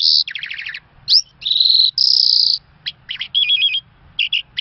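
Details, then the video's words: An Irani Mashadi Jal lark sings a buzzy rattling trill, then long bright sustained whistles, followed by short sharp notes and quick warbled fragments, all high-pitched against a quiet low hum. "Irani Mashadi Jal Beautiful Singing Lark"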